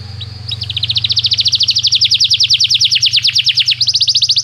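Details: Canary tutor song used for song training: a fast, dense trill of high, repeated notes, roughly three to four per second, with a brief rising whistle at the start and a steady low hum underneath.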